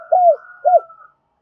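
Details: Spotted dove used as a decoy, calling in double voice to lure wild doves: two short, mellow, arched coos about half a second apart, with a faint higher drawn-out tone above them.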